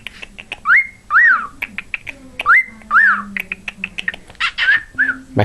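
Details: Pet cockatiel giving wolf whistles: a sharp upward-sweeping whistle followed by a rising-then-falling one, repeated twice, amid soft clicks and chatter-like chirps.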